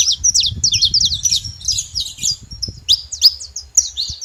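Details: Saffron finch calling at a feeding place in Brazil: bursts of high, clipped chirps and short whistles, with sharper louder notes toward the end and a soft low background hum.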